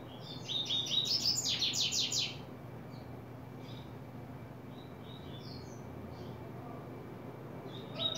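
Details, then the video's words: Double-collared seedeater beginning its song, July 2024. A loud two-second burst of rapid, buzzy, stacked high notes comes first, then scattered faint chirps over steady background noise, and a short strong phrase returns at the end. "coleiro abrindo canto"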